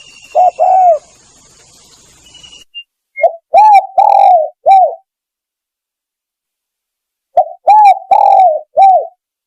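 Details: Spotted dove used as a lure, giving low mellow coos in short phrases of three to four notes, the middle note drawn out, separated by silent pauses; brief background hiss at the start.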